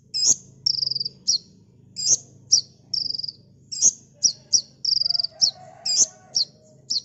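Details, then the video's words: Master recording of a kolibri ninja, the olive-backed sunbird, for training cage birds. Its dense 'tembakan' song mixes piercing high chips with quick buzzy trills in close succession. A soft low drone sits underneath. "Burung Kolibri NinJa Gacor T3mbakan Rapet l Untuk Masteran"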